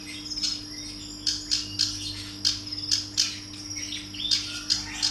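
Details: Call of a female bar-winged prinia. Thin, high, clipped chirps come in uneven bursts of two or three, with a constant low mechanical hum underneath.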